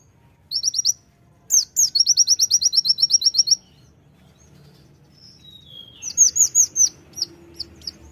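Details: Sunda white-eye, called konin, singing energetically in the tembakan style: bursts of high, thin, rapid chirps repeated in quick runs, with pauses between bursts and a few faint lower whistles.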